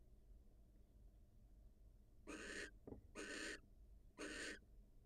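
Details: A wild barn owl female greets her mate after leaving the nest. Three rasping, noisy hiss bursts come in the second half, with a short click between the first two and quiet hum before.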